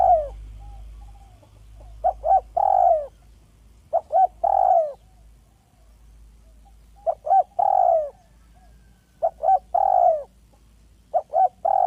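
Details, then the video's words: Spotted dove from a village, calling a smooth, clear lure call. Repeated phrases of soft coos, two clipped notes leading into a longer sliding coo, about every three seconds, over a quiet background. "Dekukur kampung yang gacor || SUARA HALUS DAN JERNIH PEMIKAT ANDALAN"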